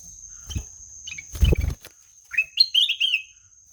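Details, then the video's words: Black-naped oriole, called kutilang emas, singing: a short series of clear whistled notes rising then gently falling in a fluid phrase near the end, preceded by soft clicks and a brief thump, with a steady high electronic hum throughout. "SUARA MERDU KUTILANG EMAS"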